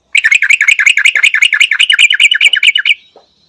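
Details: Yellow-vented bulbul delivering a continuous rapid trill of about twenty-five loud, buzzy, downslurred notes for nearly three seconds. It ends in a short whistled tail.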